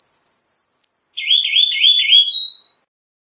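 A Cuban bullfinch sings a thin, high descending whistle, then a rapid warbling trill ending on a sharp high note, all within about three seconds.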